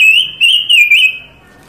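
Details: Panca Warna bird, whose varied song is used for master training and trapping lures, giving a single sustained high whistle that wavers and dips three times before fading over about one second.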